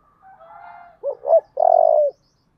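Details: Song of a spotted dove, "giọng thổ" style. A soft, drawn-out lead-in leads to two quick rounded coos, then a long, buzzy, trembling final note. No other sounds are present.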